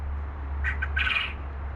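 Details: A male Japanese (Coturnix) quail, separated from his hens, gives his three-part cha-cha-cha crow, two short hoarse notes and a longer buzzy one within about a second, over a steady low hum.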